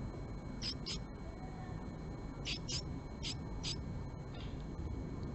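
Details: Japanese tit at a male's nest box, with a female calling in during the morning of March 20, 2022: pairs of brief piercing high notes, spaced about a second apart, against a dull low background hum.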